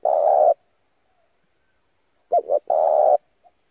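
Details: Decoy call of a spotted dove meant to attract other doves and for daily voice training: a long burred coo, a pause, then a two-note stutter followed by another drawn-out coo.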